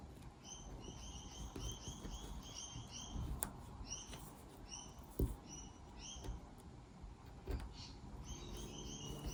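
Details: A flock of rainbow lorikeets feeding in garden grevillea blossom in the afternoon chatter with rapid, shrill, high chirps tumbling over one another in quick bursts over a low background rumble.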